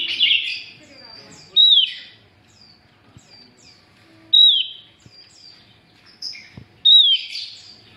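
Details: Female Javan grey-throated white-eye, calling to lure males, gives three loud falling whistles, each ending in a buzzy rasp, spaced about 2.5 seconds apart, with soft chirps and a harsh burst at the start.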